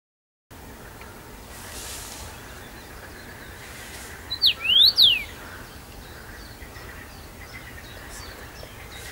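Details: A first-summer male common rosefinch, singing abundantly from a favourite branch in Bazel, Belgium, on 7 June 2015, gives one short, clear phrase of sliding whistles, falling then rising, about a second long, over steady hiss.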